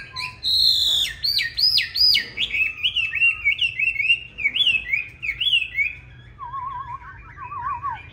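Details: Fighting song of a green-bean-eyed Chinese hwamei, used to train other hwamei to sing smoothly rather than harshly. It gives strong, clear whistled notes with sharp upward and downward slides, closing on a quieter rapid wavering trill.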